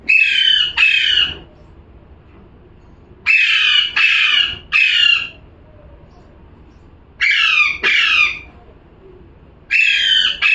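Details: Repeated bursts of harsh parrot squawks, mostly two or three rapid screeches per burst, with several quiet gaps of one to two seconds between bursts, about nine squawks in all.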